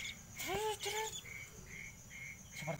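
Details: Baby scops owl calling at night from a coconut tree holding a nest with one chick: two short whining harmonic notes, each rising then falling, half a second apart, over steady cricket chirps and a man's voice.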